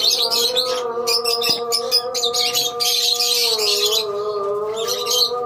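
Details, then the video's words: A colony of lovebirds chatters in bursts of shrill, rapid chirping separated by brief pauses, over a continuous low drone. "Love bird colony"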